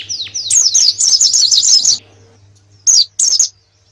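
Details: Canary singing a master song meant for training contest birds ahead of a national competition: dense bursts of high warbling chirps for two seconds, a pause, then two short chirpy phrases, over a faint low hum.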